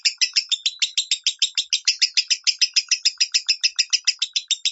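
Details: Lovebird giving its minor-tone song for training other birds, a continuous stream of sharp, high chattering notes at a quick steady pace, about six per second.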